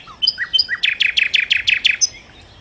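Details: Nightingale, recorded as lively song for luring birds: a few separate whistled notes, then about seven loud repeated downslurred notes in a fast, even sequence, ending with a high whistle.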